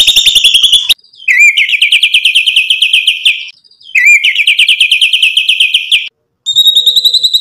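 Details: White-rumped shama singing loudly as a provoking lure: two long phrases, each opening with a swooping note, then a rapid trill of bright, slightly rising notes lasting about two seconds, with short pauses between.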